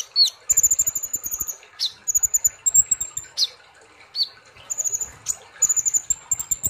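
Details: Olive-backed sunbird singing in the energetic 'ngobra nembak' style: strings of very high sweet whistled notes broken by sharp down-slurred 'tsip' notes, with soft low clicking behind.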